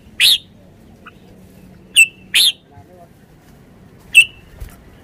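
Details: Red-whiskered bulbul: scattered single loud chirps at irregular intervals, some with a brief whistled tail, with faint low background hum between them.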